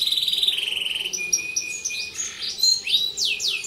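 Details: Canary song of a bird in top singing form, used as a master recording to train other canaries: long rapid trills, a steady whistled note, then quick descending sweeps.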